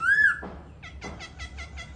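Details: Caged silver-eared laughingthrush singing while clinging to the cage (ôm cóng): a bright arched whistle, then a quick run of five rich, ringing notes evenly spaced, with faint low room hum.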